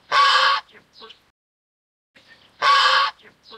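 A swan goose gives two loud, harsh, nasal honks about two and a half seconds apart, each followed by a few softer, grunting notes.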